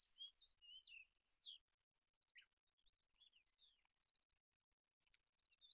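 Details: Olive-backed pipit giving high, thin squeaky phrases and short rapid trills, interrupted by pauses, with a faint crackling hiss in the background.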